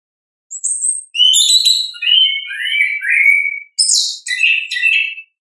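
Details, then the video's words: Natural 'ngeplong' song of an orange-headed thrush, meant to prompt reluctant thrushes to sing: a thin high whistle, then falling slurred whistles in a flowing phrase, a pause, and a burst of buzzy rich notes. "ANIS KEMBANG GACOR, pancingan suara asli alam anis kembang"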